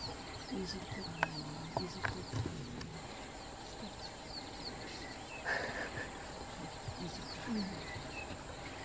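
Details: Verreaux's eagle-owl calling in daytime from high in a tree in Kruger National Park, seen at close range; low, steady hooting tones in short bursts early on, over constant high chirps of small birds and faint human voices.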